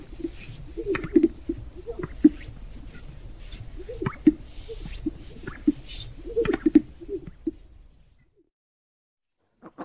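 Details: Black grouse gives a low, murmuring bubble of cooing notes with scattered louder pulses, fading to silence near the end.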